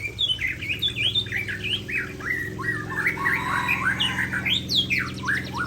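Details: Murai Aceh (white-rumped shama) singing vigorously near a waterfall: a fluent run of varied whistled notes, slurred upward and downward phrases and quick trills, over a steady low rushing roar and hum.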